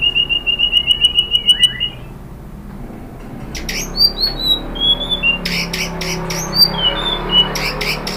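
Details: Shama song used as a trigger for other shamas: a quick string of repeated high pulsed notes, a pause, then varied downslurred whistles and sharp chips in lively succession.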